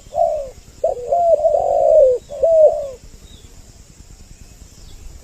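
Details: Spotted dove lure call for attracting males and females: a burst of low cooing, one short note followed by a long wavering coo and a falling note, then near silence with a faint hiss.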